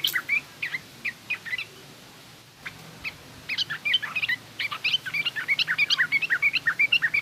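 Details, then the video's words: Yellow-vented bulbul heard in 'garuda' and rough 'ngriwik' song styles, intended to teach young birds. Scattered chirps at first, then a long, lively run of quick, bouncing notes over steady low hum. "suara burung trucukan garuda lanjut trucukan ngriwik kasar"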